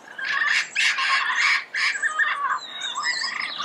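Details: Early-morning red-crowned amazon in Pasadena giving loud, grating squawks in quick bursts, a short pause, then more broken, hoarse calls over faint high birdsong.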